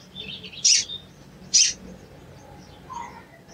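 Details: Two sharp, high cuit notes from a sooty-headed bulbul about a second apart, then quiet and a faint lower note. The call is used as a lure to make a silent bird sing.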